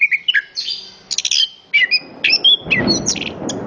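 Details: Orange-headed thrush giving short whistled and chirping phrases, then a loud, rough low rumbling noise swells in under the last notes.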